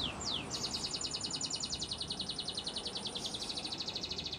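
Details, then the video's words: Spanish Timbrado canary singing a training song: two descending sweeps, then a long even trill of rapid pulses repeated several times a second, heard faintly under steady broadband noise. "Canary's Most Powerful Song For Training"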